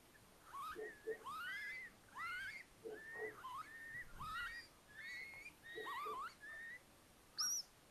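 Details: Little owls with four owlets just hatched, in an attic nest at Tiszalök, Hungary, near Hortobágy National Park, May 3, 2022. A busy run of rising and wavering whistles over brief low notes, ending with a thin high squeak.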